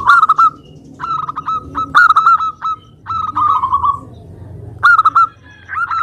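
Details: Local zebra dove in full song, kept to provoke other doves into singing: rapid rolling coo phrases, each opening with sharp clipped notes then a trilled wavering tone, repeated about every second with brief pauses.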